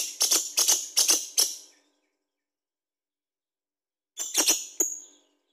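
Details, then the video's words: Vocal lovebird, recorded to draw other birds into singing: four harsh, buzzy chirps in quick succession, a pause of over two seconds, then a second short cluster of rasping notes. "Lovebird Gacor Bagus buat pancingan"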